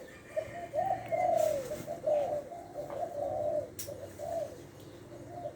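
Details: Spotted dove kept as a decoy bird from Lopburi, Thailand, with a middle-pitched voice: a series of soft, low, hollow coos in short rising-falling phrases. Faint room noise and a click are also heard.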